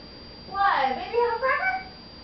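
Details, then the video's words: Pet red-fronted macaw talking indoors to its owners: a single mimicked phrase of voice-like syllables with wavering, sliding tones lasting over a second, in a quiet room. "red fronted macaw talking"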